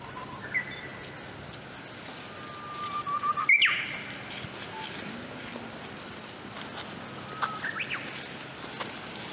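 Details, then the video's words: Japanese bush warbler in late spring in Hokkaido, emerging from bamboo thicket after snowmelt, gives a long level whistled note breaking into a sharp explosive flourish, with a quieter rising phrase later over faint hiss. "Japanese Bush Warbler 北海道のウグイス"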